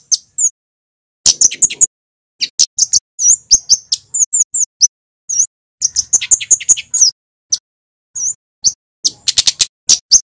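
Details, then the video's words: Vigorous cit keres singing by a male Scarlet-headed Flowerpecker from Java: scattered bursts of shrill, very high chirps and clicks, clustered densely at times, separated by short silent gaps. "Suara burung KEMADE cit keres FULL GACOR"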